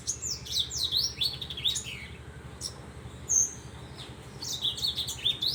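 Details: Horsfield's bush lark giving loose bursts of high, slurred and trilled notes separated by brief pauses, including one clear short whistle, over a continuous low hum.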